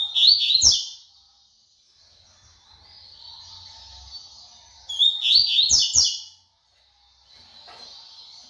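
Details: Double-collared seedeater in brown plumage singing the tui tui song: two bursts of fast, bright, chirping notes about five seconds apart, each near a second long, separated by quiet with a faint low rumble.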